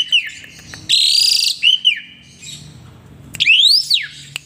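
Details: Asian pied starling singing energetically while bobbing its head: a few arched whistles, a loud harsh burst, more slurred notes, then a pause and a long whistle that rises sharply and falls.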